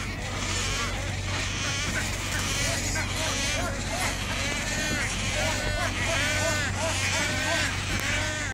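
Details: A roosting colony of wood storks at Jacksonville Zoo, with young birds, gives a dense chorus of nasal, arching cries that overlap without pause over a steady low engine-like hum and faint voices.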